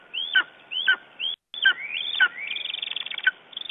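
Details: A Lesser Spotted Eagle in Estonia, calling in the morning on 9 June 2011, gives high, thin yelping whistles that rise then drop, several spaced notes then a quicker run of short yelps, over a faint steady tone.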